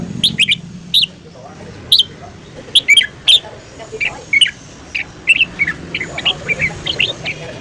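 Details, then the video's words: Red-whiskered bulbul singing in the morning for voice training. A lively, dense stream of short whistled and chirping notes varies in pitch, growing busier and softer toward the end. "luyện giọng chào mào hót sáng"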